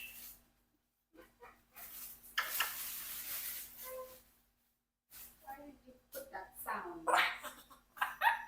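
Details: A 4-year-old Congo African grey parrot chatters in short speech-like bursts and mimicked sounds, with breathy noisy passages between clipped syllables, in an indoor room.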